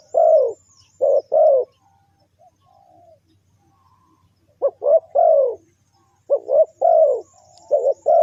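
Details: Spotted dove giving its lure call for attracting wild birds. Two quick low coos open the clip, then after a pause come triple phrases of short rising notes ending in a drawn-out mellow coo.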